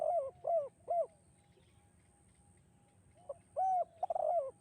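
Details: Spotted dove giving its echoing "kuk 2" style song, meant as a training and luring sound for other doves: soft, low, hollow coos, three in quick succession, a pause, then another short group, over a faint background hum.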